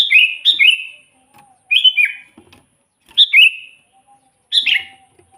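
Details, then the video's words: Sooty-headed bulbul singing tirelessly, meant to coax quiet captive birds into song and attract wild ones: five liquid whistled phrases, two in quick succession at the start, each falling from a sharp high note into a chortling tail. "suara burung kutilang gacor full buat pancingan kutilang pikat"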